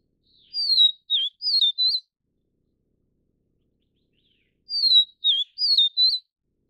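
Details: Vivid Niltava of the Taiwan subspecies Niltava vivida vivida: a clear whistled phrase of four sliding notes, high and sweet, given twice about four seconds apart, with silence between.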